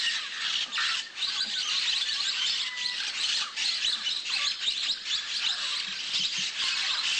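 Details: A flock of Orange-cheeked parrots (Pionopsitta barrabandi) assembling above a clay lick in early morning in Manu, Peru, fills the air with a dense, continuous wash of harsh, overlapping squawks and chatter.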